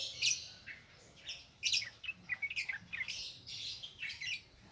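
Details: Sharp, bright chirps and short rising notes from a yellow-vented bulbul singing ngropel ngalas style, a lure for newly caught birds, coming in quick irregular clusters.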